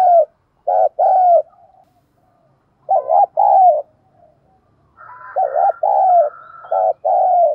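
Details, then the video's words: Spotted dove decoy bird cooing and calling to lure wild doves: irregular phrases of deep, burry coos, some notes bending up and down, with a thin higher tone sounding over the last phrase. "Chim Cu Mồi thúc Gù Gáy Gọi Đủ Bài Bổi Nghe Là Gáy + Về Cội"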